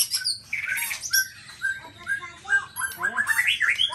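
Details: Black-tailed white-rumped shama of the Nias type pouring out a busy, varied song of buzzy high notes, short whistles and chattering trills that climb into a rising whistled run at the end.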